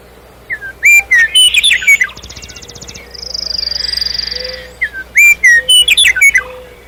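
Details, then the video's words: Common nightingale song: loud whistled and warbled notes, a rapid mechanical rattle, a long high buzzing trill lasting over a second, then renewed bursts of sharp, varied whistled phrases; faint low hum beneath. "Трель соловья и пение птиц расслабляющие звуки Warbling nightingale and birdsong relaxing sounds"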